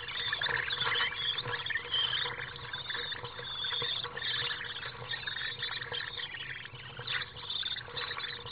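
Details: Two juvenile common swifts in a nest box on a house beg during a chaotic feeding on 15 July 2015, giving a continuous mix of shrill, buzzy chittering and rasping calls with scratchy rustling throughout.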